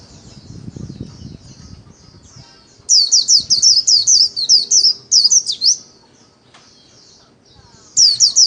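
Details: Kept white-eye giving the 'líu' song style for daily practice: soft twittering at first, then a loud fast burst of sharp zigzag high notes, a shorter burst, and a final one after a quiet gap.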